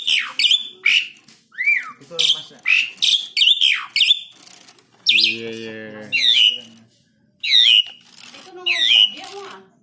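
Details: Black-winged starling kept as a tame pet, singing as a lure for other songbirds: fast harsh chatters, then nasal buzzy notes and looping whistled phrases repeated every second or so.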